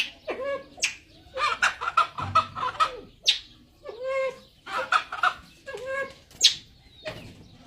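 Grey junglefowl giving rapid, harsh, nasal clucking notes in two stuttering bursts, with a few sharp high squeaks between them.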